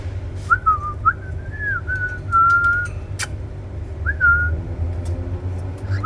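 A cockatiel gives clear, slurred whistles, some rising and some falling, in short phrases with pauses.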